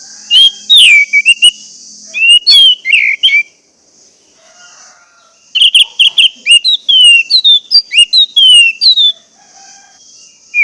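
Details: Lure song of an orange-headed thrush for coaxing jammed birds to sing: long rich runs of rapid whistled notes, many falling slurs repeated in sequence, broken by a brief quiet gap, with a constant high hiss behind.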